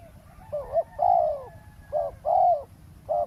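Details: Spotted dove calling during decoy trapping on the ground by a Thai roadside. Husky cooing in quick alternation: brief coos and longer, throaty drawn-out notes, five in just over three seconds, with low background hum.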